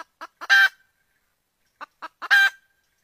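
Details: Red junglefowl hen inviting a male to mate: brief clucks lead into a loud, harsh, rasping squawk. The same pattern repeats after a pause of about a second and a half. No other sounds.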